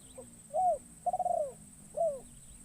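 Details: Spotted dove, a newly trained lure bird taken into the forest to attract wild doves, giving clear cooing calls: three soft rising-falling hooting notes, the middle one longer and pulsed, over a steady high hiss.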